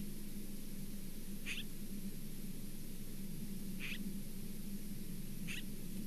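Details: Osprey at the Charlo nest on 27 September 2023: three sharp, high chirps roughly two seconds apart, heard over a steady low hum and constant broadband hiss.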